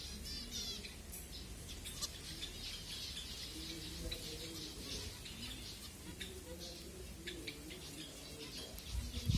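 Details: Finches at feeding time in Kumarapuram Thoppur, Kanyakumari, Tamil Nadu, India, recorded on a Redmi Note 7 phone; many thin, high chirps overlap in a busy scatter throughout, with a low background hum.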